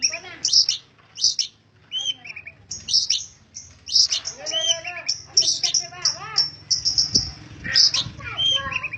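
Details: Long-tailed shrike in persistent song. Sharp high ringing notes alternate with chattering, warbled and scratchy phrases in irregular bursts, over a low background hum.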